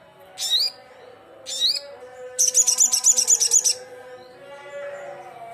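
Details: Two short, high rising chirps from a loud Sogon challenging rivals, followed by a rapid, sustained trill of sharp repeated notes, with a low murmuring background.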